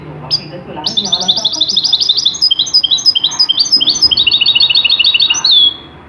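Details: European goldfinch singing a distinctive, authentic Tunisian-style song phrase used for tutoring young goldfinches: a fast, high, liquid twittering run of repeated bright notes lasting about five seconds, with faint narration and rumble underneath.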